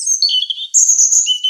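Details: European robin song, said to be heard early in the morning or at dusk: soft, clear whistled notes stepping down from very high to mid pitch, then a bright, sustained high phrase and a lower closing note, all in one short, clean burst.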